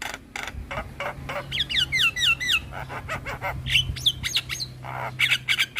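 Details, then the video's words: Javan myna, white-eyed, singing loudly: raspy bursts give way to rapid looping whistles and bright chirps over a steady low hum. "Masteran Jalak Kebo Mata Putih - Jalak Kebo Gacor Dengar Kicauan Jalak Kebo Masteran"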